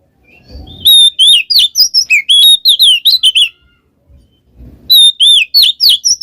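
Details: Ngeplong ngekek song of an oriental magpie-robin, used to lure a quiet bird into singing. Two bursts of fast, varied whistled phrases with rising and falling slurs, and brief low thumps in between.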